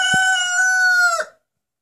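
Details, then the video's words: Rooster whose crow is said to sound like the Turkish word for grandmother, 'anneanne'; a single steady, clear, strongly harmonic note held for over a second, then dropping off abruptly into silence. "Bu Horoz Anneanne Diyor"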